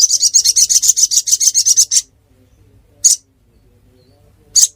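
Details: Song of the ruby-cheeked sunbird (local name sogon) from Pidie, Aceh, Indonesia: a fast, high, pulsing trill of about two seconds, then two isolated sharp high chirps separated by silence.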